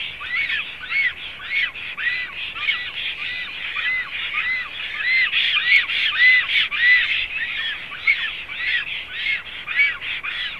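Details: Black storks at their nest in Zemgale, Latvia, 7 April 2016: dense overlapping rasping, arched whistles from more than one bird, calling rapidly and continuously.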